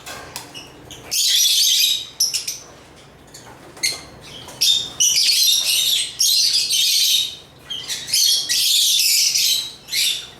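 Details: Intermittent shrill chirping of African lovebirds, bursts of high squeaky twitters separated by quieter gaps, about two to three bursts every few seconds.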